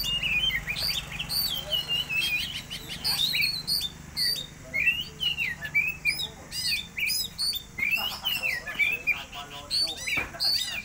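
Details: Oriental magpie-robin song used as a lure to stimulate other birds: loud, varied whistled phrases with rising and falling slurs, quick sweeps and short trills delivered almost without pause, over a faint low hum.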